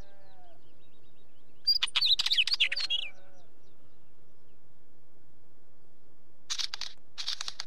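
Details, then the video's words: Wheatear calling: a scratchy, chattering burst of rapid clicks and squeaky notes lasting about a second, later two short harsh rasping bursts, against a quiet background. "Wheatear sound"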